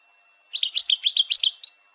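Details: Female European goldfinch's short batbata call meant to stimulate males, recorded for goldfinch-canary crossbreeding: a brief burst of about eight tinkling, twittered chirps lasting just over a second, with silence before and after.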